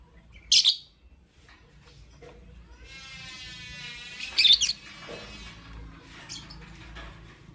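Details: Morning chirping from a lovebird: a sharp, piercing chirp, a pause, then a drawn-out buzzy tone leading into a second cluster of harsh, high chirps, followed by fainter scratchy notes.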